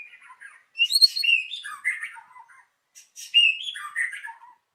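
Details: White-rumped shama in the morning, recorded as a lure to get birds singing: two varied phrases of slurred whistles and scratchy notes, separated by a brief pause.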